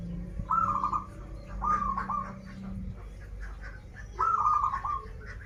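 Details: Local zebra dove from Banten, a singing bird with krital and warung kebek song styles, giving three rolling, stuttered coo phrases, each a quick bubbling series of notes falling slightly at the end, over a low steady hum.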